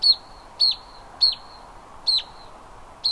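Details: Canyon wren repeating a sharp, bright, high chip about every half second to second, each note a crisp down-slurred snap with a short ringing tail, against faint steady background noise.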